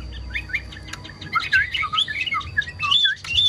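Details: Kept Chinese hwamei delivering quick, jumpy whistled notes, sparse at first, then a busier run of rising and falling phrases with a few sharp clicks.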